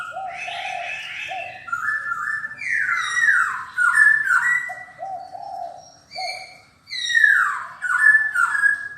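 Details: Silver-eared laughingthrush singing loud, slurred whistled phrases: bright notes sliding downward in steps, mixed with lower, mellow repeated notes. Phrases overlap and come in uneven bursts.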